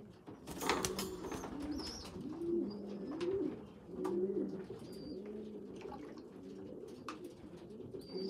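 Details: Young pigeons, with a weak small one feeding bigger youngsters, give clear undulating low coos in rolling phrases about every second. Faint high squeaks and scattered clicks sound in the background.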